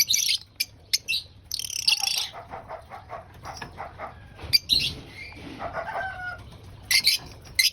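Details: Lovebirds eating breakfast: scattered sharp high screeches between quieter stretches with soft repeated pulsed notes and faint whistled sounds, plus brief rustling or fluttering noises.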